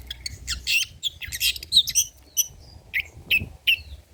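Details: A long-tailed shrike singing varied material for prompting and tutoring songbirds: harsh scratchy bursts followed by spaced, short whistled and squeaky notes.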